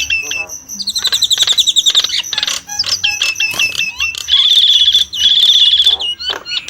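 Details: Nias hill myna pouring out high, piercing whistles and chattering notes, including a sustained trilled phrase, with a few faint lower sounds beneath.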